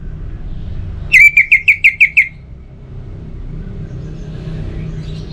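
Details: Orange-headed thrush, song used as a tonic for birds that are reluctant to sing: a quick burst of six matching whistled notes, evenly spaced over about a second, then quiet with a low background hum.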